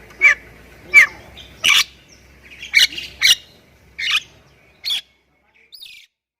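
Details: Thai-type Javan myna, known locally as jalak kebo, singing a full, varied song: loud harsh broadband bursts roughly every second with whistled and chattering notes between, recorded to train other caged mynas.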